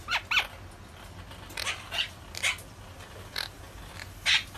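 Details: Monk parakeet uttering short, separate sharp squawks spaced roughly every half second to second over a quiet background.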